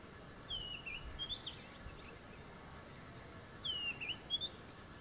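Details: White-browed scrub robin (Cercotrichas leucophrys) singing near a tent camp at Zulu Nyala Game Reserve, KwaZulu-Natal, South Africa, 28 September 2017: two high, sweet phrases about three seconds apart, each a falling whistle then brief rising notes, over soft hiss.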